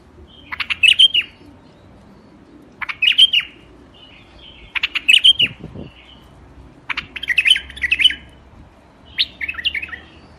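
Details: White-eared bulbul in a rooftop garden, Iraq, singing short bubbly whistled phrases of a few quick notes, repeated about every two seconds, five phrases in all, with a faint low background hum.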